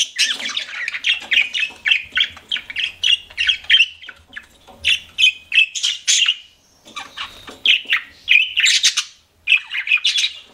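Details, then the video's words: Pet budgerigars chirp in a steady run of short squawky notes and warbles, with a few brief gaps between bursts of chatter. "CUTE PET BUDGIES CHIRPING"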